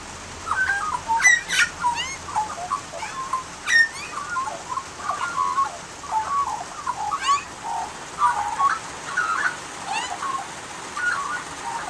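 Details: Australian magpie in rain, twelve seconds of continuous varied carolling: mellow fluted and gurgling notes with frequent sharp rising high chirps, phrases tumbling one after another over steady rain.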